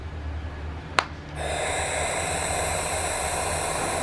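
A barn owl gives a long, harsh, breathy hiss lasting nearly three seconds, after a single sharp click.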